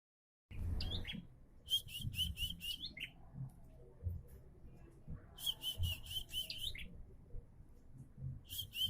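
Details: Bar-winged prinia singing, said to be starting to sing diligently: two bursts of rapid, sharp, high chirps, each of about five evenly spaced notes, with a pause between bursts and a low rumbling background.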